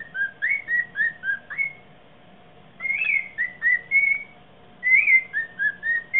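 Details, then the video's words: Whistled song of a bird after mating, recorded indoors: quick runs of short slurred notes, several per second, split into three phrases by short silences, over a low steady hum. "vogel glücklich nach dem sex"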